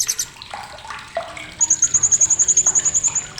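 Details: Crisp, sharp chattering of a blue-crowned hanging parrot, used as tutor audio for competition songbirds: brief high notes at the start, then a long, steady, rapid ticking trill running from mid-clip almost to the end, with background clicks.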